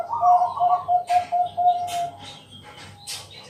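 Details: Bangkok zebra dove giving its night-time lure song to set other doves singing: a brisk series of short, even coos fading away, with a few sharp clicks and rustles afterwards.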